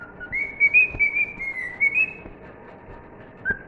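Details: Pet cockatiel whistling the tune of "If You're Happy and You Know It": a clear, pure whistled melody of stepped notes rising and falling around one pitch, phrase lasting about two seconds, then a pause and a single short note.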